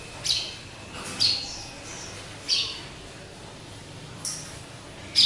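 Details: Pet sparrow, described by its keeper as a hybrid, kept alone in a cage hung up high where it calls often; five short, high chirps come at uneven gaps over a faint steady hum.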